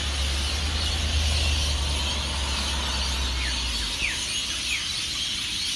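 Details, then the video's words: Hundreds of rainbow lorikeets at their Norfolk Pine roosts along Burleigh Heads Beach, Gold Coast, South East Queensland, Australia, before sunrise as they take off for the day; a dense, unbroken shrill screeching roar over a steady low rumble. "The noise of Hundreds of Rainbow Lorikeets at Burleigh Heads"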